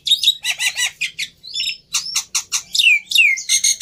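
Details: Black-winged myna lure song for prompting a reluctant bird. Loud raspy chatter mixes with clear whistles, including two strongly downslurred notes, then a harsh buzzing close.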